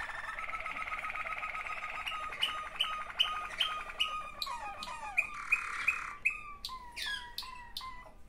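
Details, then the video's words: Waterslager canary song, from one of two sibling birds: dense rolling trills with sustained tones give way to sharp clipped notes and descending slurred whistles repeated at short intervals. "waterslager 2 αδερφάκια."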